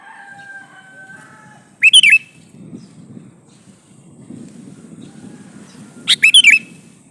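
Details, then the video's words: A male sooty-headed bulbul calls to a female with two bubbly, three-to-four-note phrases roughly four seconds apart; a faint low murmur and a brief tonal hum sit in the background. "suara burung kutilang jantan memanggil betina"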